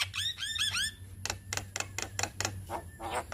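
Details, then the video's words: Javan myna, white-eyed form, giving lure song for young birds: a trio of looping rising-falling whistles, then loud harsh broadband squawks and rasps in uneven bursts. "Suara Pancingan Burung Jalak Kebo Muda Biar Cepat GAcor - Jalak Kebo Mata Putih Gacor"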